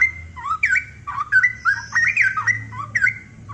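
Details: Straw-headed bulbul (Pycnonotus zeylanicus), lively song used as training audio for cage birds: loud, rich, bubbling whistles slurring up and down in quick overlapping phrases over a faint low hum.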